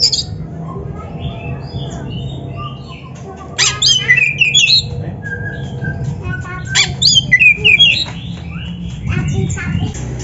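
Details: Oriental magpie-robin (kacer) training song meant to stimulate captive birds; faint notes at first, then louder bursts of sharp, twisting whistles and scratchy phrases over a steady low hum and background noise.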